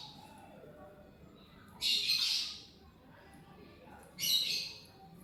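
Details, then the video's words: Lovebird chirping while eating corn: two harsh, broadband shrieks about two seconds apart, each lasting roughly half a second, over a quiet background hum. "Lovebird Chirping Sounds: Lovebird Eat corn"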